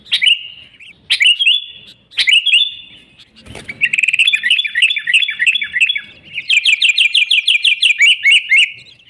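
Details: Lively sooty-headed bulbul song for luring wild bulbuls, free of mixed-in birds: a few separate whistled phrases, a brief low thud, then long rapid chattering trills of repeated notes building toward the end.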